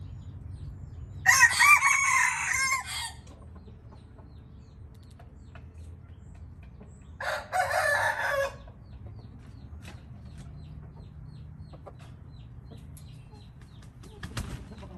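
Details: Indian red junglefowl crowing twice, about six seconds apart. Each crow is a hoarse, clipped phrase of about a second and a half over a low hum, with a faint knock near the end.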